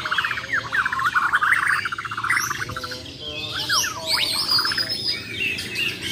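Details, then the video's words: Champion Bornean white-rumped shama in a singing contest with besetan and tembakan styles pours out a fast rattling trill series, then loud sweeping whistles rising and falling steeply. "BURUNG JUARA MURAI BATU BORNEO "MUARA WAHAU" || FULL ISAIN BESETAN DAN TEMBAKAN"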